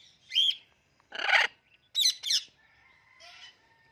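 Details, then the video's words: Indian ringneck parakeet, a talking pet bird, giving a loud run of sharp squawks and clicking bursts, then a faint whistled tone, with other parrots such as an alexandrine, cockatiel, amazon and blue and gold macaw kept nearby. "Talking Indian Ringneck Parrot Making Clicking Sounds"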